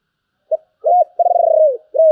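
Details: Spotted dove in the 'giọng thổ' song style, 'bầu' voice: a brief opening note, a double coo, a long purring trilled coo falling at its end, then a final clear coo, all low and mellow.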